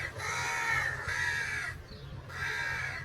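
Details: Crows calling for food, three drawn-out harsh caws, each about three-quarters of a second long, separated by short gaps, with a low rumble of background noise.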